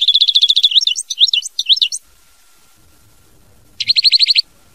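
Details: Goldfinch singing in the mama binette style, opening with a rapid even trill that breaks into looping slurred notes, silence, then a short burst of fast repeated chirps.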